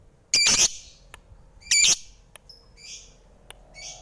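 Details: Lovebird kept at home, giving two loud harsh squawks about a second apart, each a dense burst of high notes, followed by a few faint thin chirps and clicks.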